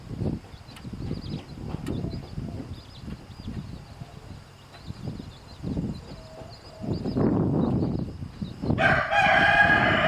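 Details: Farmyard chickens, a rooster bothering a mother hen and chicks while she shows them to drink; mostly low scratching and rustling, with a bright crow beginning near the end.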